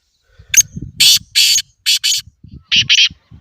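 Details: Grey francolin calling: a loud, harsh, rasping series of bursts in an uneven rhythm, with soft low murmuring sounds between them.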